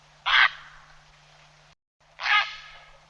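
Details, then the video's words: Grey heron giving two loud, grating squawks roughly two seconds apart, harsh and noisy in tone, a call played to draw in birds for hunting; a faint low hum runs underneath. "Grey Heron call sound"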